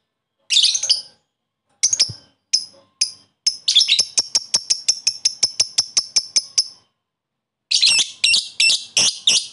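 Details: Lovebird calling a rival, with ngekek chatter meant to raise other lovebirds' excitement: harsh shrieks, then a long three-second run of rapid clipped high chirps, ending in loud grating squawks.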